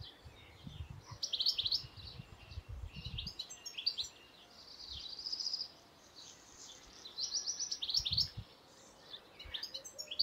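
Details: European goldfinch singing: bursts of rapid high twittering and buzzy chirps over about ten seconds, with pauses between phrases and a few low dull thumps in the background.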